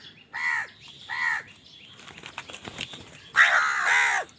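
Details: Crow calling while fighting for food. Two harsh caws open the clip, then a rustle of flapping wings. A long, loud, rasping caw closes it.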